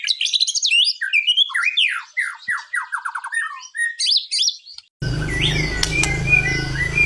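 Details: Caged white-rumped shama in Indonesia, singing actively before a competition: a quick series of descending whistled notes and chips, then a loud humming background noise takes over near the end.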